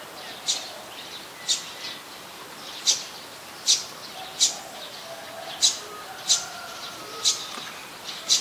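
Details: Olive-backed sunbird in the mangrove forest of the Sirinart Rajini centre, Thailand, gives sharp, very high chip notes at an uneven pace of about one per second over a soft background hiss.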